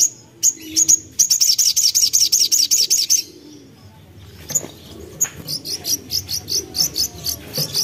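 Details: Common iora, a young bird used as a lure to make other birds sing, giving a fast, high, buzzy series of sharp chirped notes in rapid runs, broken by a short pause, then steady repeated high notes.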